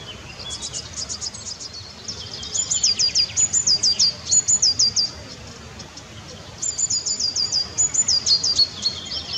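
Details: White wagtail in the Eifel near Bad Bertrich, Germany: high, thin twittering notes in rapid repeated trills, several runs of short chirps separated by pauses, over a steady background hiss.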